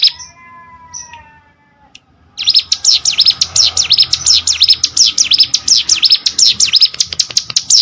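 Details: Prinia, called ciblek sawah, after two quiet seconds bursts into a loud, rapid run of high, sharply down-slurred chirps, a few per second, with buzzy clicks between them.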